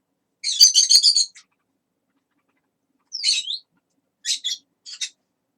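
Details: Chatty parrot talking: a rapid run of harsh, speech-like syllables, a long silence, then a twisting squeaky note and a few short, clipped sounds near the end.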